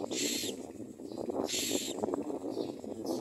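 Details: Nesting common myna feeding its young: two loud, raspy hissing bursts about a second apart, then softer fainter ones, with continuous low rumble underneath.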